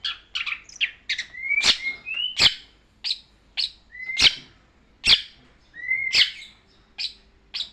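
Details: Long-tailed shrike tutor song used for training caged birds: sharp high chirps and short whistled notes, with several smooth rising whistles between bursts, in a quiet setting.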